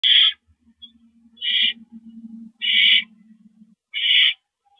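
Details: Owl calling during a rodent delivery on 28 March 2012 at 9:01 PM: harsh, hissing screeches, four bursts about a second apart, with a faint low hum between them.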